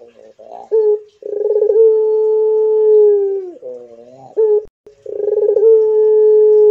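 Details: Pelung-style cooing by a Barbary dove: a brief introductory note, a rolling tremolo, then a very long even tone that drops away at its end, followed by a second coo starting the same way.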